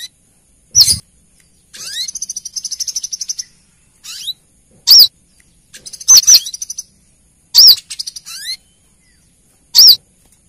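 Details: Female brown-throated sunbird calling the male, used as a lure sound for small birds; sharp, high, hooked chirps alternate with rapid buzzy trills and thin rising notes, about six bursts over ten seconds against a quiet background.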